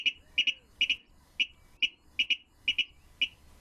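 A Virginia Rail gives a dry, clicking song of sharp doubled notes, 'kid-ick', repeated about twice a second at a fairly high pitch. A faint low hum runs underneath.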